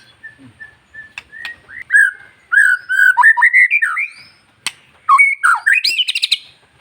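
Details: Song of a long-tailed white-rumped shama, a kept bird, used to excite other shamas into singing: soft whistles build into loud, varied fluty phrases broken by sharp clicks and a rising, chattering flourish.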